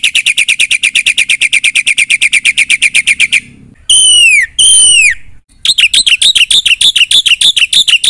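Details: Gacor full isian song of a black-winged myna: a long, steady rattle of repeated buzzy notes, two loud sweeping whistles, then rapid scratchy chirps again.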